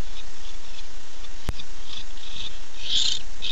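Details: Nighttime nest-camera sound of a male barn owl calling for his mate, 9-8-15: soft breathy hisses building to a louder harsh rasping burst near the end, one sharp click midway, low hum throughout.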